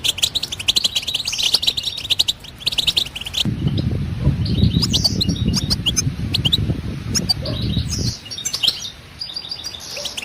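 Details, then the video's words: A European goldfinch sings a quick, bright twitter of high chirps and trills, partly masked midway by a loud low rumble lasting several seconds, then the twittering resumes clearly. "بتبتة الحسون"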